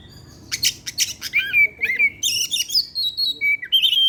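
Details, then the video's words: Kacer (Oriental magpie-robin) evening lure song: harsh chattering bursts give way to a run of clear, sustained whistled notes that rise, fall and hold steady pitches. "pancingan suara kacer , Opus setiap sore ngeplay dan keluar materi"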